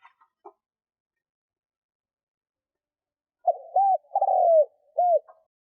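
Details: Spotted dove used as a lure bird to draw in wild doves: after a few faint clicks and silence, a short burst of low, hollow coos, one longer drawn-out note between briefer arched ones.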